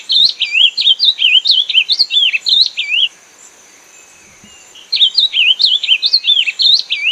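Ultramarine grosbeak singing two rapid warbled phrases of high, looping whistled notes, each about three seconds long, separated by a brief pause.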